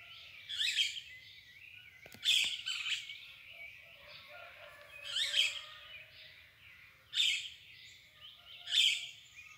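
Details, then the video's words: Dawn birdsong with five bright, scratchy bursts spaced unevenly, softer chatter filling the pauses, and a steady low background hum. "O canto das aves al amanhecer"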